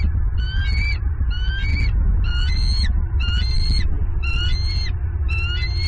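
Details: Female bald eagle screaming as she claims prey delivered to the nest by her mate, Southwest Florida, November 2022. Six or seven bursts of stuttering, high harmonic notes, each ending in a shrill rise, roughly every 0.8 seconds, with wind rumbling beneath.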